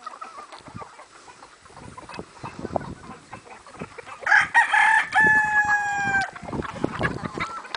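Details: Rooster out in a yard with hens and other roosters gives a single long, loud crow with a steady held tone after a short rising start, surrounded by soft clucking and scuffling.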